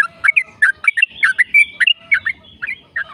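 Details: Fast, continuous yellow-vented bulbul song played to prompt other bulbuls to sing: short, warbling chirps and rising-falling whistles in quick bursts, with a faint low hum beneath.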